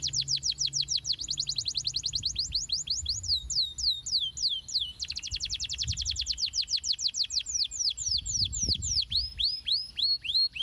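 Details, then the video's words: Canary song used as a lure to get young canaries singing often and rolling long: fast, high trills of steep downslurred notes, broken by slower swooping whistles and short buzzy stretches, with faint low thumps beneath. "pancingan ampuh kenari paud agar cepat gacor dan ngeroll panjang"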